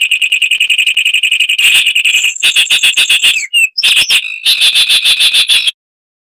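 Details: Loud, high Zapata wren song, a Cuban lowland scrub species: a long fast pulsing trill, a brief whistle, bursts of rapid repeated notes and a final rolling trill lasting nearly six seconds.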